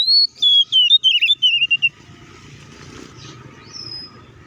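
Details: Oriental magpie-robin singing aggressively, a fighting song meant to provoke rival magpie-robins. A two-second run of clear, descending whistled notes and quick warbles, then fading to faint background noise and a short high whistle.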